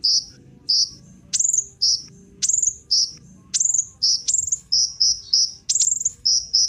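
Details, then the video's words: Kolibri ninja sunbird recorded as a lure to get other birds singing: piercing high chirps alternate with sharp downward-swept notes, delivered in steady bursts about every half second. "Kolibri Ninja Pancingan Penggacor Burung Cocok Buat Isian Segala Burung"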